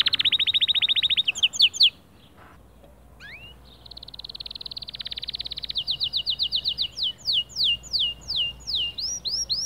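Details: Male white canary in motivating song for other birds: a fast trill, a pause, a single rising whistle, a long buzzy trill, then loud swept whistled notes repeated.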